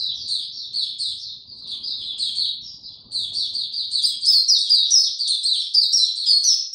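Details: Singing white-eye given no health supplements, 29 April 2022: quick high twitters and squeaks, softer at first, then louder and more continuous in the second half.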